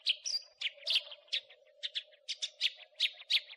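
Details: House sparrow crecetan chatter as a master track for cage songbirds: a high whistled note then loud harsh chirps, often paired, repeated roughly every third of a second, with steady background hum.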